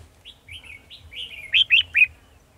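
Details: Decoy red-whiskered bulbul singing at a trap to lure wild birds, 18 December 2020: a few soft slurred whistles, then three loud, sharp, chirpy notes in quick succession, with a faint low hum beneath.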